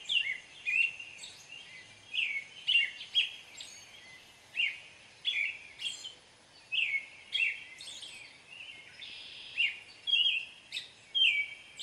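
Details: An American robin sings continuously, about fifteen short warbled, whistled phrases, each a quick slurred rise or fall, sometimes topped by a thin high squeal, with only short gaps between phrases and soft background hiss.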